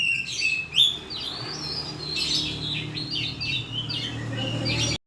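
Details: Oriental magpie-robin song used to lure birds into singing. A sharp rising whistle is followed by rolling, slurred whistled phrases and chatter, ending abruptly, over a faint low hum.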